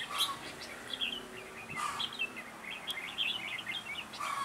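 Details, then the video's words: Caged red-whiskered bulbul acting as a lure at a trap on 9 June 2017; busy, twittering runs of high chirps with short bright notes, over a soft background hiss. "Bẫy chào mào Mũ lân Ché nẹt mồi"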